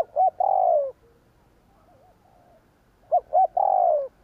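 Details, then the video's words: Spotted dove "gù kích" coo phrase given twice, short notes leading into a long falling coo, with a faint wavering coo between. "Tiếng cu gáy gù kích chuẩn / Chim cu gáy gù kích bổi chuẩn nhanh nổi / Cu gáy gù phóng"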